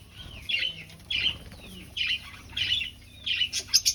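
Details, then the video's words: Finch calls in an aviary colony during breeding and nest finding: short, high, slightly squeaky chirps repeated about every half to three-quarters of a second, with a quick cluster of sharper notes at the end, over quiet background. "Finch Sounds"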